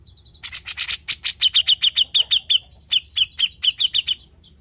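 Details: Cucak jenggot, the grey-cheeked bulbul, turned from mute to lively singer, giving besetan song: harsh rasping chatter that runs into long rapid series of piercing high chirps with short breaks.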